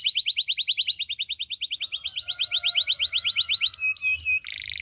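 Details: Canary in full loud song, varied and melodious: a long even trill of high chirped notes about ten per second, then a shift to sharp whistled figures and a dense buzzy rattle at the close.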